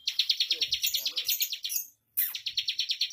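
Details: Bar-winged prinia in quick 'speed rapat' song. High pulsing notes repeat about three per second, break off for a brief silence, then resume at the same rapid pace.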